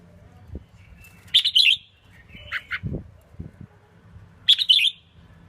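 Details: Red-whiskered bulbul hen kept in a cage, singing to stimulate males: two bright rippling warbled phrases a few seconds apart, a short two-note chirp between them, and occasional low thumps over a faint hum.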